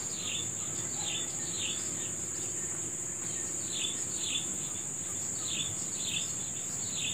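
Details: Rapid run of short, falling high chirps from birds at morning, repeated evenly about every half second, backed by a continuous whining insect chorus.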